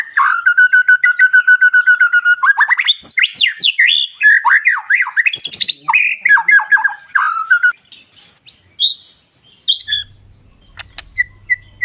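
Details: Murai (magpie-robin or shama) song for luring quiet males into replying and breeding condition; a sustained steady whistle, then a rapid jumble of varied slurred notes, trailing into scattered high chips and faint background clicks.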